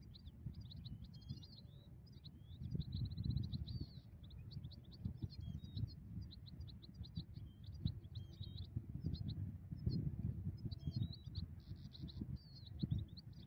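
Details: Migrating European goldfinch, trapping with a ground net: a fast, continuous twittering song of high tinkling, buzzy and liquid notes running for over thirteen seconds, over heavy low rumbling background noise.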